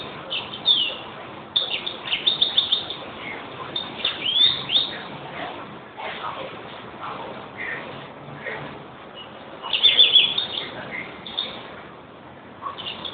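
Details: European greenfinch twitters and trills scattered through a steady noisy background, with a louder burst of chirps near the middle and another near the end.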